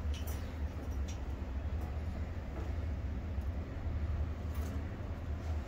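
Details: Steady low engine-like rumble, like a passing vehicle or train, with a few faint clicks and no animal voice.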